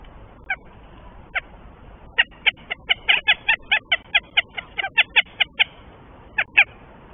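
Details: Northern goshawk pair at the nest near Tartu, Estonia, the male awaiting the first egg; scattered harsh notes build into a fast run of about sixteen cackling calls, then a final pair.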